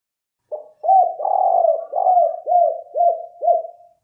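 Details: Spotted dove lure recording: after a brief opening note come repeated mellow coos, the middle ones drawn out and purring, the final ones short and arched, roughly two each second, with no other sounds.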